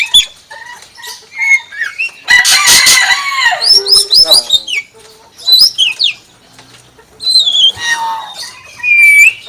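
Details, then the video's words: Common hill myna imitating a chicken, mixing clear whistled notes and short rising and falling whistles with a loud, harsh, noisy burst resembling a chicken cackle, followed by more ringing whistles and chattering notes. "BURUNG BEO SUARA AYAM"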